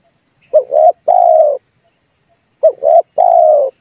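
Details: Low cooing of a red turtle dove, a lure for bird trapping: two phrases, each a quick double coo leading into a drawn-out level hoot, about two seconds apart.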